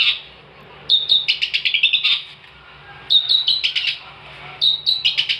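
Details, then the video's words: Long-tailed shrike (cendet) singing energetically, for tutoring other songbirds: three repeated phrases, each a thin whistled note followed by quick scratchy chattering notes, spaced about two seconds apart, over faint background hum. "kicauan cendet gacor"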